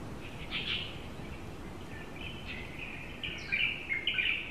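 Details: Female Asian koel in Tainan, Taiwan, a rare transit bird there; scattered harsh chattering notes, with an early burst and a louder, sharper cluster near the end, over steady background noise.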